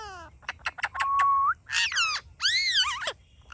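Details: A talking ringneck parrot giving a varied run of sounds: short clicks, a level whistled note, then warbling, arching tonal phrases, over a quiet low hum.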